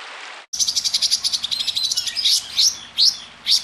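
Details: Small songbird in a compilation of sharp, harsh song bursts: a fast, scratchy run of high chattering notes, then several sharp rising whistled sweeps about half a second apart.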